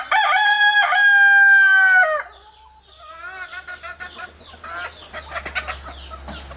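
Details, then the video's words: Rooster crowing among three roosters and their hens, crowing as communication between them: one loud, harmonic-rich, drawn-out crow lasting about two seconds, followed by quieter clucks and small bird chirps in the background. "Three Rooster Crowing sound effect in One after Another"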